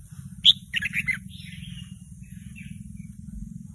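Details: Young red-whiskered bulbul practising doubled notes, not yet a full song, singing along to a played recording: a quick burst of bright chirpy notes, then faint soft warbling, over a steady low hum.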